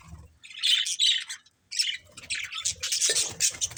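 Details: Playing budgies give high scratchy chirps and chatter, a short burst, then a pause, then a denser run of rasping twitter.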